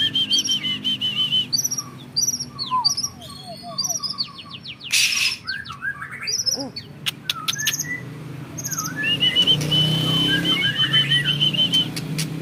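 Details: White-rumped shama of a champion breeding line, caged, singing a rich mix of clear whistles, chattering notes and repeated staccato phrases, with a loud noise burst midway and a long run of even notes later.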